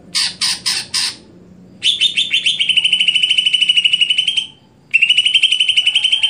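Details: Stelan cucak hijau song of a greater green leafbird: four loud rasping squawks, a brief gap, then a rapid steady-pitched trill, paused once and resumed.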